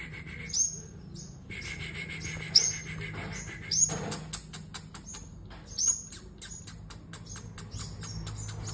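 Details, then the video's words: Sunbird singing in a competitive bout: piercing high, sharp notes repeated every second or two, mixed with a rapid series of dry clicks and ticks, over a low background hum. "Hút Mật 7 Màu Hót Đấu"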